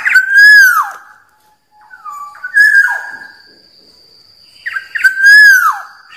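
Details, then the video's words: Black-naped oriole giving loud, liquid whistles: a fluty note sliding up then down near the start, a shorter whistled phrase mid-clip, and the same slurred whistle repeated at the end, with near silence between phrases. "SUARA BURUNG KEPODANG"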